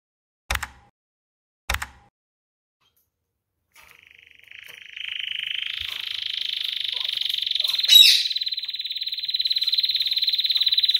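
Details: Canary song: a few sharp clicks, then a long rapid trill that swells steadily louder and continues to the end, with one brief harsh burst near the middle.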